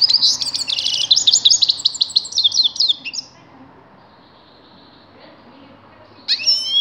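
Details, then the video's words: A grey-crowned goldfinch pours out three seconds of fast, jangling twitters and trills, falls silent, then resumes with a sharp rising note. "Седоголовой щегол"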